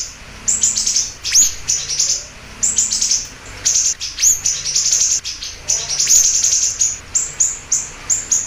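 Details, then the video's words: Siri-siri bird giving lively bursts of very high, sharp chirps, some with quick rising sweeps, in rapid clusters with short pauses between them. "Pancingan Dan Masteran Burung Siri Siri Gacor Dor"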